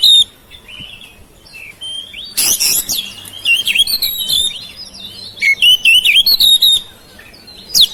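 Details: Home-kept oriental magpie-robin singing to prompt silent birds into song: bright varied whistled notes and slurred trills in bursts, with harsh rasping notes around the middle and a sharp call at the end.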